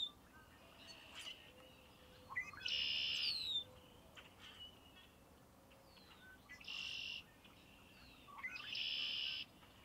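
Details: Red-winged blackbird song: three loud buzzy trills, each led by short soft introductory notes and lasting about a second, spaced roughly three seconds apart, with a faint descending whistle near the first.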